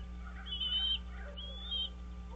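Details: Wild American bald eagle at its nest on Dale Hollow Lake, a reservoir on the Kentucky-Tennessee state line, 30 March 2023 at 06:09, picked up by a nest camera: two drawn-out, high, thin whistled notes, each about half a second, over steady low electrical hum.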